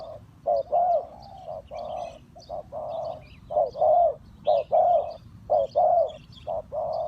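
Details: Trapping lure spotted dove repeating low mellow coos, short then long, roughly once a second, some notes slurred together, with thin high twitters of small birds behind.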